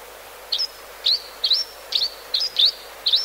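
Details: Grey-hooded sierra finch (Phrygilus gayi) gives short, high chirps about twice a second at an uneven pace, some ending in a thin, drawn-out whistle, over a soft background hiss; call.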